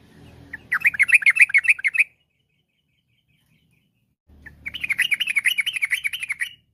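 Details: Sooty-headed bulbul giving its lively, fast, varied song to coax other bulbuls to sing. Two bursts of quick, evenly spaced bubbly chirps, each over a second long, separated by about two seconds of silence.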